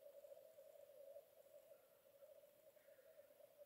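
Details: Black grouse at a lek on a raised bog with two lek sites, Vargavidderna nature reserve, Tiveden, Sweden, early morning of 25 April 2022: an unbroken, low bubbling coo rolls steadily through the clip, with a faint higher note briefly near the end.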